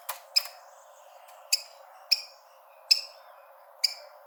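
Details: Rufous-collared sparrow (Zonotrichia capensis) gives a call used to stimulate birds at the start of the breeding season: six sharp, high, clipped chip notes about every half to one second over a faint hiss.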